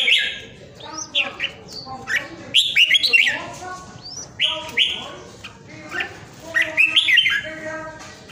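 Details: Caged red-whiskered bulbul singing at home in Vietnam during the Covid pandemic: short, emphatic whistled phrases, each a quick rising-and-falling flourish, repeated with pauses of about a second between them, plus occasional clicks.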